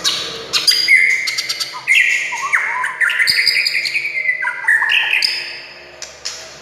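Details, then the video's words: White-rumped shama song meant to spur other shamas into singing: a rich, varied phrase of whistles, trills and sliding notes, shifting pitch often, interspersed with sharp clicks and chips. "SUARA kicau MURAI INI Buat semua jenis murai gacor,buat Murai DIAM Langsung NYAUT"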